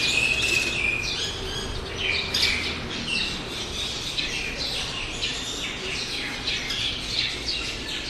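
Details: Roadside birds of several species, including sparrows, chattering and chirping in quick overlapping bursts, one short whistled note near the start, against constant outdoor hiss.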